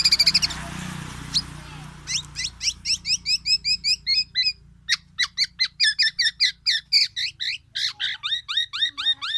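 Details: Tame, actively singing Black-naped oriole with its loud, distinctive song: a long run of sharp, high chirped notes repeated rapidly in steady succession, some slurring downward, after a brief noisy start.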